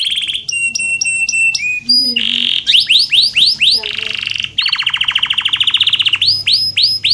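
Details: Canary singing as a master song for canaries that rarely sing: varied rapid phrases of stacked whistles, swooping slurs and a fast rattling trill, with a faint low hum.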